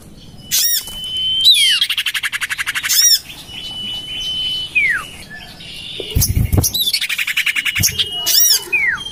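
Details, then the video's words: Lure recording of common iora for drawing in birds, tried in a garden next to a home: long steady high whistles each dropping in a quick slur, separated by loud rasping trills and brief chattering bursts, plus a low thump. "Suara pikat burung sirtu cipoh terampuh sepanjang masa"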